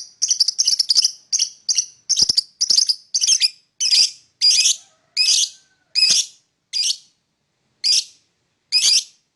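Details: Lovebird chirping in the morning: a run of sharp, high, harsh chirps, fast at first and then slowing to single notes about one per second, with no other sounds.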